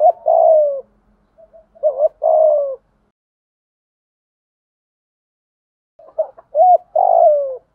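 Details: Spotted dove cooing to lure wild doves: two bursts of low, mellow coos, each phrase a quick pair of short notes and then a longer falling coo, separated by several seconds of silence.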